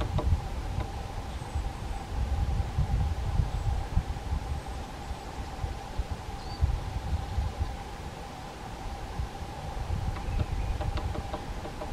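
Only a low rumble like wind or distant traffic is heard, with a steady mid-pitched hum and a few faint ticks.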